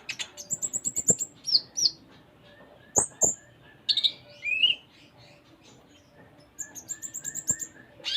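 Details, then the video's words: Konin (Van Hasselt's sunbird) singing a long, varied phrase: rapid ticking runs, high whistled notes, buzzy slurred chirps and a closing burst of quick ticks. "Konin Gacor Full Isian"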